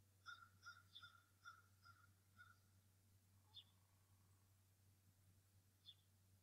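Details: Adult male bald eagle at the Decorah North Nest, calling in anger while defending the nest against a returning intruder one morning in early March 2018, season's first egg already laid; six clipped, harmonic notes in quick succession, then two sharp high peeps.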